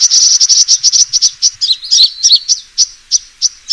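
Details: Sunbird fighting call for a lure: a fast, regular volley of shrill chips that slows, broken by a few twisting squeaky notes, then spaced single chips.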